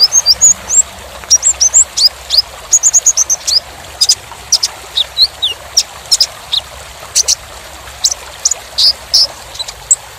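A sunbird sings a rapid, very high string of thin chips, sharp ticks and short whistled slurs, packed closely together with barely a pause.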